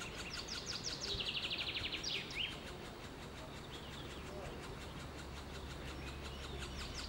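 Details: Middle spotted woodpecker being fed: a fast, chattering burst of high, clipped notes lasts about a second and a half, then fades into steady low background noise with faint distant bird notes.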